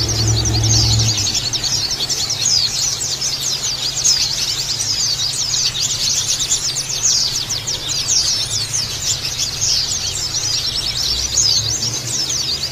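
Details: Oriental white-eye (pleci) ombyokan chorus used as therapy for coarse chirping (ngeriwik kasar): relentless, high, crowded chirps and twitters throughout, a brief low rumble in the opening second.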